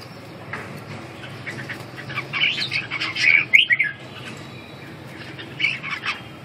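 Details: Red-whiskered bulbul phrases: short bursts of bright, warbling whistled notes in the middle of the clip, with a quieter phrase near the end, over a low steady background hum.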